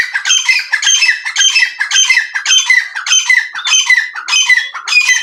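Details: Iranian partridge (teetar) calling, a harsh squawking phrase with several overtone layers repeated rhythmically about twice per second, steady and loud throughout.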